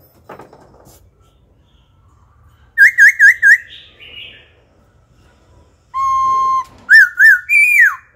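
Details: Wild-caught adult laughingthrush singing wild-style phrases and switching voices repeatedly to stimulate and train young birds: quick rising-falling whistled trills, a long steady pure whistle, then rich looping slurred notes, with gaps of near silence.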